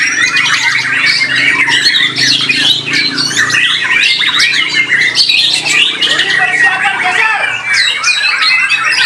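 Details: Contest white-rumped shama in Indonesia, noted for powerful, rhythmic song and stamina, pouring out loud varied whistles and harsh chattering notes without a break, with a low background murmur.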